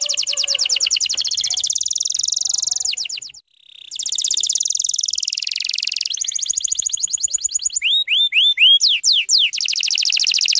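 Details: Canary song played to draw young canaries into singing: rolling buzzy trills, a brief break, rapid rattles, then clear rising hooked whistles and steep downward sweeps.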